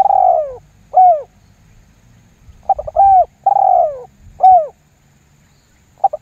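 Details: Spotted dove 'lambung guk' lure call for prompting other doves to respond: a long falling coo and a short one, a pause, then a full phrase with stuttered lead-in, long hoarse coo and clipped ending, with another phrase beginning.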